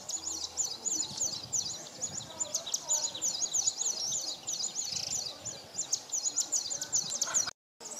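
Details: São Tomé prinia male in display, Nova Moca, São Tomé, January 2019: continuous high-pitched twittering phrases repeated quickly and steadily, ending in a brief cut to silence just before the close.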